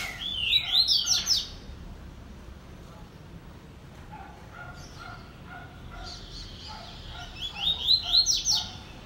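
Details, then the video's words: Caged double-collared seedeater presented singing: a quick burst of bright, sliding whistled notes rising and falling, a quiet pause with faint low tones, then another rapid whistled phrase near the end. "Apresentação Coleiro Pen - Drive"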